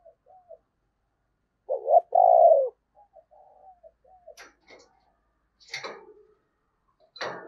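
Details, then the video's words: Spotted dove used as a decoy, its urgent cooing meant to lure wild doves during the Tet season. Low, soft coos with one loud drawn-out coo near the middle, followed by scattered clicks and rustling knocks. "Tiếng Chim Cu Mồi Thúc Gù Cực Hay và Hắp Dẫn Để Anh Em Kích Bổi Mùa Tết"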